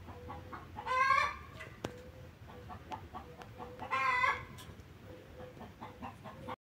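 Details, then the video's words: Lovebirds, 9 September 2024, making two loud raspy, buzzing squawk bursts about three seconds apart. Softer regular clicking pulses and a low hum fill the gaps. "Pappagalli inseparabili"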